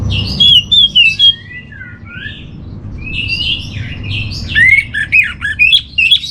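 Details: Orange-headed thrush song for training: fluty whistled phrases rising and falling, a quieter middle section, then quick varied notes about twice a second, with faint low background noise.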